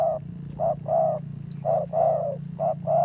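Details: Decoy spotted dove with a harsh, fierce voice. It sings loud, hollow coos in alternating short and slightly longer notes, roughly one per second, over a continuous low droning hum.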